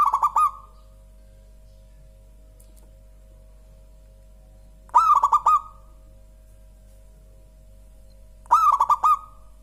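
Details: Local-type zebra dove (perkutut lokal), described as having a clear, very soft and mellow voice: three cooing phrases about four seconds apart, each a quick run of rounded, slightly rising notes ending in a drawn-out trill, over a faint steady hum.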